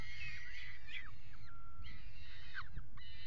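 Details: Peregrine falcons at a nest box on the Axel water tower, Netherlands, 5 February 2018, mating on the box edge. A few harsh, harmonic wailing calls bend downward, with pauses between them, over a steady low rumble.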